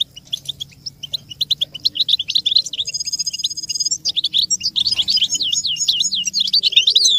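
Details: American goldfinch song recorded for teaching young songbirds, made of sparse chirps building into dense twittering, broken by about a second of flat high tonal whine, then loud looping, warbling phrases.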